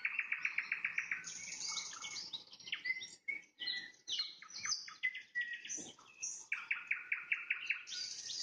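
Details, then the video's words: At sunset a nightingale delivers a rhythmic burst of fast, evenly spaced notes, then varied whistles and chips, ending with another quick trill. "Пение соловья на закате, соловьиные трели"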